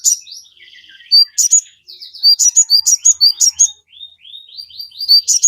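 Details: Sogon chattering song for training captive birds: soft rising trills, then strong bursts of piercing high chirps repeated about three times a second, mixed with thin slurred notes.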